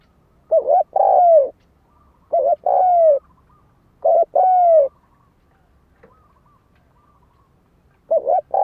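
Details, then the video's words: Spotted dove cooing, a recording used as a lure to provoke fighting: clear, mellow phrases of a short note then a longer falling coo, repeated about every two seconds in four phrases, background otherwise silent. "Tiếng chim cu gáy đấu bổi dùng kích mồi cực chuẩn"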